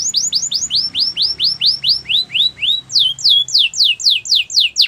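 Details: A Belgian canary sings an even series of downslurred whistles, about four each second, that steps to a higher, sharper tour partway through.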